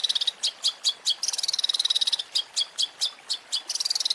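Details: Cendet (long-tailed shrike) masteran fill: evenly spaced sharp high notes between bursts of rapid chattering trill, repeated across the clip.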